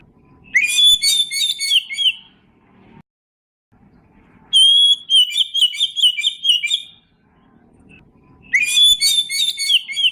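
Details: Magpie-robin song played as a lure for young magpie-robins: three bursts of dense, rich, buzzy warbling, each about two seconds, separated by quiet pauses.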